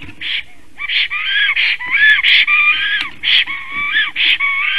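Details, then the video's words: Black Stork in Latvia singing at its nest on the morning of 13 April 2019, after returning in spring. It gives a rapid, uneven string of strained, wheezing, moaning notes, some drawn out and bending, others short bursts. "Melnais stārķis~Kaupo comes home and is singing"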